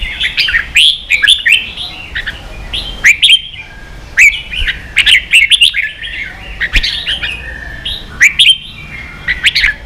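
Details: Red-whiskered bulbul singing in the 'ché' style, used for training young birds to sing: short bursts of lively, warbled whistles with sharp clicks, separated by brief pauses and repeated every second or two.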